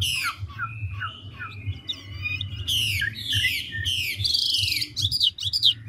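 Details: Large, mature wild-caught Chinese hwamei switching voices quickly in ngũ trường song: short downslurred whistles, a long level whistle, then a run of loud buzzy harmonic notes, with a steady low hum behind.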